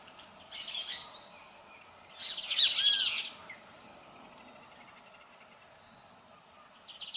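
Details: Lined seedeater song: two short bursts of high, scratchy, rapidly repeated notes about two seconds apart, the second longer and louder, then quiet with a faint chip at the end.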